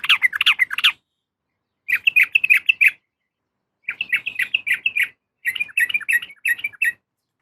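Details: Female sooty-headed bulbul calling a male, used as a lure to get males singing: four bursts of rapid bubbly chattering notes, each about a second long, separated by short silences.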